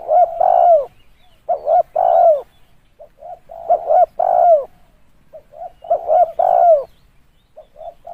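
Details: Repeated spotted dove phrases meant to lure birds to a decoy: each a few short coos and then a longer descending coo, given three times at roughly two-second gaps in quiet surroundings.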